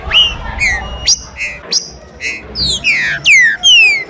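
Green-winged saltator giving loud, clear whistled phrases, some sharply rising and others sliding down, with brief notes between, over a soft background hiss.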